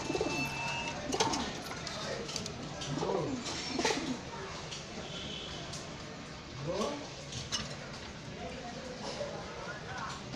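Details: Female and paired pigeons give low, soft, rolling coos at irregular intervals, with a person talking nearby indoors. Finding: pigeon.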